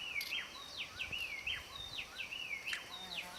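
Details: Seriema foraging in the Pantanal, giving a rapid run of loud, sharp, downslurred yelping notes, roughly eight in just over three seconds, against a faint steady background hiss.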